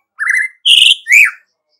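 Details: Brief bout from an energetic white-rumped shama: three clear whistled notes, a wavering level tone, a higher rich note, then a rising-falling slur.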